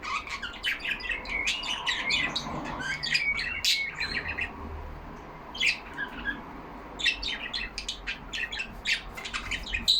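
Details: Several yellow pet budgerigars chattering together in a cage, giving rapid clicky notes and scratchy warbles, a short quieter pause near the middle, then renewed bursts of sharp chirps to the end.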